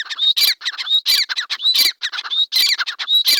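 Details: Grey francolin pair (teetar) calling in a field at close range: dense, loud, harsh notes overlapping almost without pause, with shrill whistled peaks recurring roughly every half second.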